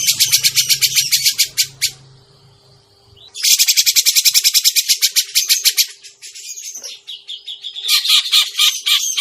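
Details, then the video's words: Grey-cheeked bulbul call played to lure birds for trapping: loud rapid grating chatter for two seconds, a lull with faint lower sounds, then a longer chattering burst and a noisy, rougher final stretch, over a faint hum. "suara pikat burung cucak jenggot masteran burung cucak jenggot"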